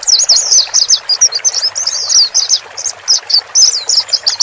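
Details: Male and female white-eyes used to coax a newly purchased bird to accept its cage; high rapid warbling twitters, a continuous stream at first, then separated short chirps about every quarter second.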